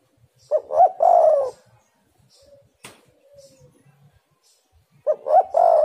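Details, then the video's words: Spotted dove recorded as a lure to get other doves calling actively: a loud, husky, arched cooing phrase opens, a faint soft note and a sharp click follow, then the cooing phrase starts again at the end. "tekukur super gacor suara pancingan"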